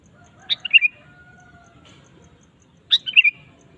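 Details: Sooty-headed bulbul in active song: two short, bright phrases of rapid chirps and slurred whistles, about two and a half seconds apart, with a faint steady tone and low hum behind.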